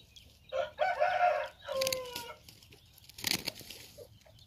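A hen gives a hoarse, drawn-out crow of about a second, rich in harmonics, followed by a shorter falling note and some rustling and clattering.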